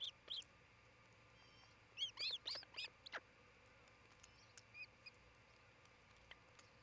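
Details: Osprey calling at its nest near Charlo, Montana, on a June 2018 midday nest-cam recording: a couple of shrill chirps, then a quick burst of five piercing whistled notes, followed by faint distant peeps.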